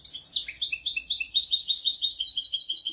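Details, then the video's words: European goldfinch singing a royal-style song, a tutor recording for teaching goldfinches and canaries: an unbroken, fast, bright twittering of high tinkling notes and short trills for three seconds. "تغريد طائر الحسون ملكي"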